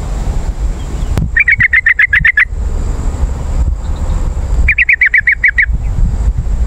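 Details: Yellow-vented bulbul lure calls for attracting wild birds: two long bursts of rapid, evenly spaced chattering notes, roughly four per second, separated by a pause, over a low hum and rumble.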